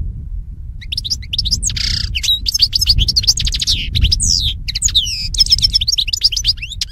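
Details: European goldfinch song used for teaching captive birds: a fast, continuous twittering of high, thin chirps, trills and sliding whistled notes, with a low rumbling background throughout.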